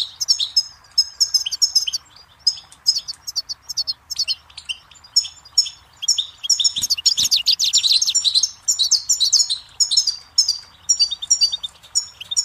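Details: Goldfinch song used to teach chicks and songbirds; a long, continuous outpouring of rapid, tinkling and buzzy twitters, briefly swelling into a dense, rattling flurry midway.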